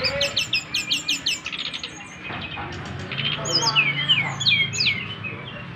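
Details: Brown-chested jungle flycatcher delivering Nyengklak style song, a rapid run of sharp repeated chirps about four per second, followed by twittering slurred whistles and high squeaks over background hum.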